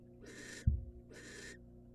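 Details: Wild female barn owl in a nest box, as the male brings a rat: two drawn-out raspy hisses with a sharp knock between them.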